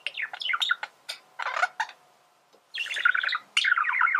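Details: A male budgerigar, whose song serves to teach birds to sing, delivers quick clicks and chirps, then a pause, then a rush of squeaky chattering warble.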